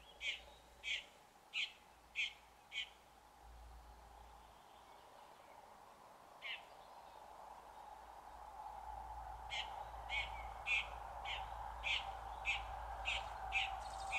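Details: A red-backed shrike imitates other species within its song: five evenly spaced short chirps, a pause with one lone note, then a faster run of similar clipped notes while a broad background noise slowly swells.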